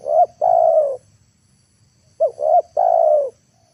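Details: Lure spotted dove cooing in the afternoon, meant to bring wild birds to the ground. Two complete phrases roughly two seconds apart, each a pair of short rising notes leading into a long, smooth coo.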